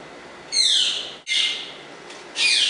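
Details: A pet African Congo grey parrot gives three harsh, high, raspy squawks, each about half a second long, with slightly falling tones and short pauses between them.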